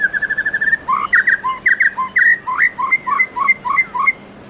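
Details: White-rumped shama singing its 'forest voice' song style in the morning: a quick run of even whistled notes, then varied slurred whistles jumping between low and high pitches, steady and loud against a faint low hum.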